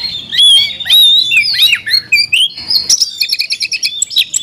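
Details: A caged Oriental magpie-robin gives loud, clear slurred whistles rising and falling, then a rapid run of short sharp chirps.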